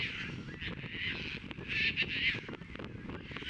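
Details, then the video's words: Courting Caspian terns on Montrose Beach, Chicago, 22 April 2024, with birds catching fish, offering them to potential mates and mating; loud grating, rasping calls repeat in quick bursts over a low background of wind and surf. "CASPIAN TERNS courtship: catch fish, offering, mating"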